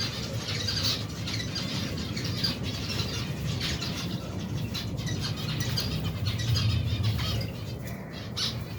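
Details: Adult and baby finches from a colony of more than 120 pairs feeding together, giving a dense chorus of high chirps that thins toward the end, with a persistent low hum.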